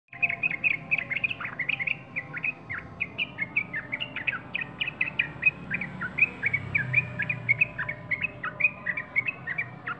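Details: Sooty-headed bulbul singing: a lively stream of short whistled chirps and slurred notes, rising and falling, repeated rapidly for ten seconds over a low background hum.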